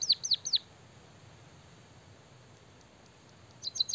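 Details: Lively white-headed munia singing with canary-like phrases: a short burst of high, sharp, falling chirps, a long quiet pause with low hum, then another quick cluster of high chirps.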